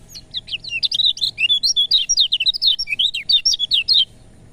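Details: Rapid high-pitched warbling of a lemon-bellied white-eye, meant to stimulate birds reluctant to sing: dense, twittering notes sweep up and down without a break for about four seconds before the clip falls silent.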